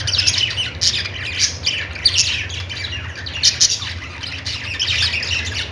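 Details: Budgie chatter in clustered bursts: raspy squawks and high chirps come in loud pulses roughly every half second, with a low droning hum in the background.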